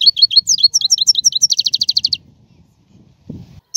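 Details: European goldfinch song: a series of quick high chirps, then a rapid even trill of about a dozen clipped notes, followed by quiet low rumbling and one last faint high note.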